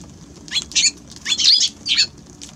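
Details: Eurasian tree sparrow giving loud, clustered chirps, roughly four sharp bursts within under three seconds, over a faint low background hum.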